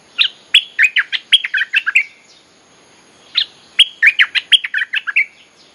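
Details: Cream-vented Bulbul lure song used to call wild birds: two bursts of quick, bubbly chirped notes, about eight each, separated by a second of quiet, with a faint steady high hiss behind.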